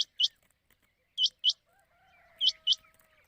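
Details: Quail lure call for nighttime hunting in the Sawani season. High upward-flicking notes are delivered in pairs roughly every 1.2 seconds, with a faint drawn-out tonal sound running underneath.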